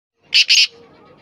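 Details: Black francolin calling in a short burst: two loud, harsh, grating notes in quick succession, then quiet with faint background hum.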